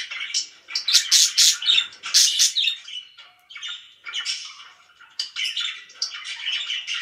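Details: Loud budgerigar chirping by pets: rapid harsh squawks in a fast rattling sequence first, then quieter warbling twitters and scattered sharp chirps.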